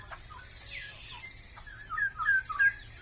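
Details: Straw-headed bulbul, a bird becoming scarce in Malaysia, with a faint note early on, then a quick burst of loud bubbling whistled notes rising and falling near the end, backed by a constant high buzzing hiss.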